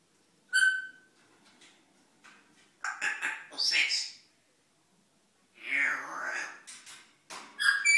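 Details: Male African grey parrot chattering to himself in the morning at home, filmed with a hidden camera: one clear whistle, then bursts of speech-like babble and mimicked sounds with pauses between, in a small quiet room.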